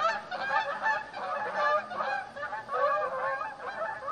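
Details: Flock of Canada geese (outardes) gathered at a lakeside chalet on Lac Goulet, giving a steady stream of overlapping honks, roughly fifty per minute, irregular and clamorous.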